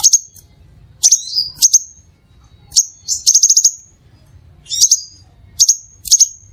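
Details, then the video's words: Crimson sunbird (Aethopyga siparaja) calling to attract other sunbirds: bright, very high chips, some in quick stuttering runs of five or six, separated by short pauses. "SUARA PIKAT DAN PANCINGAN BURUNG SEPAH RAJA"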